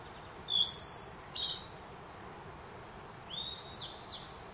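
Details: Spring forest at Kamikochi's Myojin, Japan, June 2021: a Narcissus flycatcher gives a strong buzzy high note and a short second note, then softer rising and falling whistles after a gap, with a Black Bunting singing nearby.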